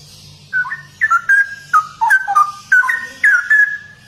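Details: Straw-headed bulbul in energetic 'gacor' song, pouring out rapid bubbling whistled notes in a continuous chain of short rising and falling phrases, with a faint low hum behind.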